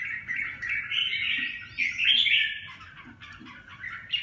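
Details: Red-whiskered bulbul singing a warbled, fluty run of rising and falling notes in mid-high pitch, continuous for about four seconds over low background hum.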